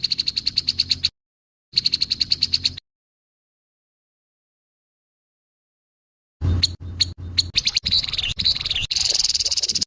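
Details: Grey-headed babbler harsh call: two short bursts of rapid scratchy rattling, a long stretch of silence, then louder irregular raspy chatter that thickens into a continuous buzzy churr.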